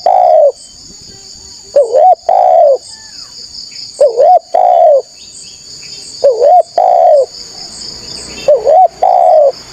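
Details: Spotted dove, a lively caller used as a lure to draw wild rivals: mellow low coos in paired phrases, a short wavering note then a longer sliding one, repeated every couple of seconds over a steady high insect drone.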